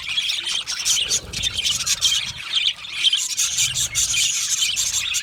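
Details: Budgerigars in a colony, described as chirping when happy and comfortable; dense overlapping high chirps, squawks and chatter from many birds, continuous with bursts of sharp clicks, faint low rumble underneath.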